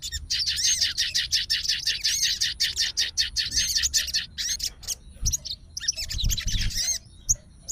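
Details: Sooty-headed bulbul of the fighter type, responding at once to the voice of another bulbul and calling out a rival; rapid chattering and whistled notes, many repeated, with some arched whistles and low background rumble.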